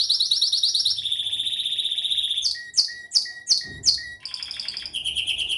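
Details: Pleasant canary song with rapid high trills, a long even rolling phrase, then four loud sweeping downward notes spaced evenly before trilling resumes.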